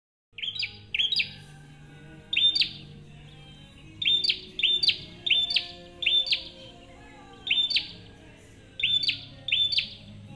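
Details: Bar-winged prinia (prenjak) calls used as a lure for other birds: sharp, high chirps with a downward flick, given singly or in quick pairs about every second, with a faint low hum beneath.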